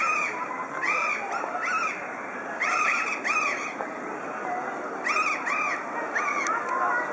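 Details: Red-breasted geese at Dresden Zoo on 9 May 2011 calling in overlapping bursts: high, squeaky, arched yelps from several birds, roughly one every second or two, over a steady soft hiss.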